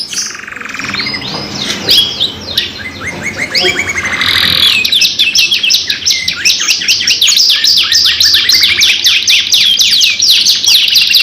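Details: Canary lure song, two birds together, for prompting other canaries to sing: softer mixed warbling and short trills at first, then louder rapid repeated downward notes and chattering rolls.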